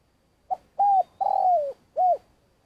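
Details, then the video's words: Trapping lure spotted dove, long call: a quick initial note, an arched coo, a drawn-out descending coo and a closing arched coo, close and clean. "Cu gáy mồi cây - gáy gọi dài"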